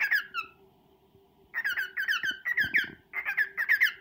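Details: Pet male cockatiel courting a female: a short whistled note sliding downward, a pause, then a dense run of squeaky, chirping song notes, with a soft constant hum behind.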